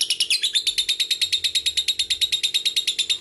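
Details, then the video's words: Lovebird giving a long ngekek trill, used as a lure to prompt young, fighter and female lovebirds to sing: rapid harsh chattering notes, about eight per second, steady through the clip, over a faint low hum. "PANCINGAN LOVEBIRD NGEKEK AMPUH"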